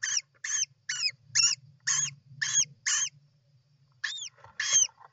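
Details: European roller at a nest on 29 June 2024: a quick series of seven rough, chattering calls, then a short pause and a few more hooked, harsh notes, with a low hum beneath.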